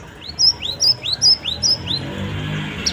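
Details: Cinereous tit (gelatik batu) lure phrase: about six loud rising whistled chirps topped by a sharp high tick, delivered at a steady pace, then quiet with low background hum.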